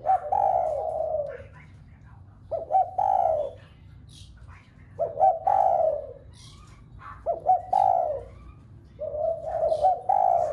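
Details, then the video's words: Spotted dove cooing to excite other doves into calling: long soft coos alternating with phrases opening on quick clipped notes, about five phrases over ten seconds against quiet background noise. "Cu gáy gáy thúc cả bầy cu ở nhà gáy loạn. tiếng chim cu gáy kích bổi nhanh nổi nhất. cu đất"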